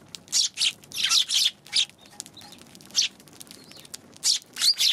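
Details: Eurasian tree sparrow on 11 January giving scattered short, scratchy chirps, some doubled, with brief silences between them.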